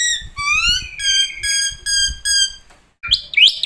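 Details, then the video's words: Black-winged starling song from a full training track: long, loud whistles rich in overtones, some rising, some falling, some held level, repeated in a steady series, then a harsh squealing burst; light low noise beneath. "masteran jalak putih suara full isian"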